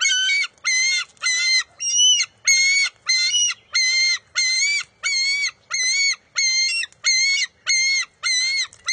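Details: Bald eagle eaglet at its nest on June 23, 2021, competing with its mother over a fish: about fourteen harsh, harmonic-rich wailing calls, each roughly half a second long, repeated steadily every 0.6 seconds with short gaps of silence.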